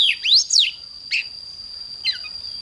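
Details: Morning song of an oriental magpie-robin, a few loud swooping whistles that sweep up and down, then two shorter fainter notes, over a constant high-pitched background tone.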